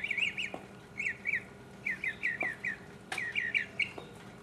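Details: Solo mockingbird song from 2015: short bursts of two to four bright, wavering notes, each group repeated in a bouncy rhythm with brief pauses between, against a faint constant hum.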